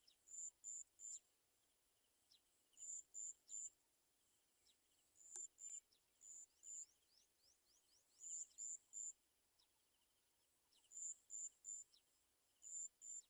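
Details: Olive-backed sunbird mother attending fallen baby birds unable to feed; thin high-pitched notes repeat in short clusters of two or three, with soft descending chips and one sharp click.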